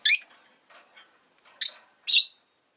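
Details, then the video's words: ['Rosy-faced lovebirds, five in a windowside cage on a lazy afternoon: three harsh, rasping high chirps, the last two close together, with faint twittering in the gaps.'] "Lovebird Chirping Sounds"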